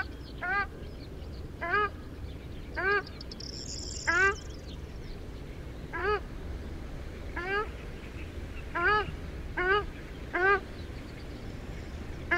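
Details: Ruddy shelduck uttering short, nasal, upslurred honks spaced one to two seconds apart in a slow, regular series, against constant low background rumble and a brief high twitter near four seconds.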